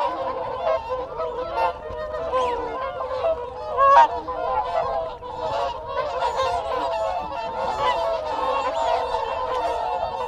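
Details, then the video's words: Whooper swans, a group giving close-up contact calls: a dense, continuous chorus of nasal, trumpeting honks that overlap throughout, with one louder honk near the middle. Wigeon and Canada geese call in the background. "Whooper Swan. CU Contact Calls Of A Group."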